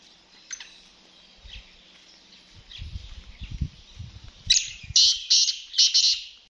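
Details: Black francolin calling, starting with faint high notes and low rumbling, then a loud series of four harsh, grating bursts packed close together in the final two seconds.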